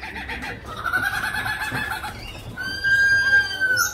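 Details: Lyrebird mimicking other birds: a smooth sustained whistle, then a pure steady tone with stacked overtones and a brief high squeal at the end, over a murmur of low background noise.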